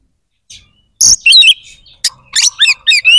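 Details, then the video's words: White-rumped shama giving a quick song burst: a harsh note followed by warbled, trilling whistles and a fast run of chattered phrases. "SUARA KACER GACOR🔴 AMPUH JEBOLKAN EMOSI DAN BIRAHI KACER"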